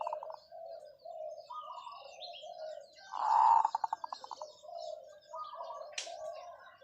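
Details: Long call of a zebra dove: a loud, rolling coo followed by about eight fast, rhythmic pulsed notes, set among steady chirping from other small birds.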